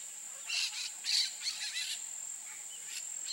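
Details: Peach-fronted parakeet (Eupsittula aurea) uttering a short series of harsh, clipped squawks that fade into softer distant notes, with a persistent high insect drone throughout.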